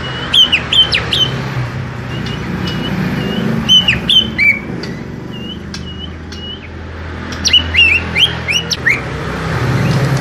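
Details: Small-bodied greater green leafbird kept in a cage in Indonesia, singing bursts of bright slurred whistles and sharp chips separated by short pauses, with a low background hum throughout.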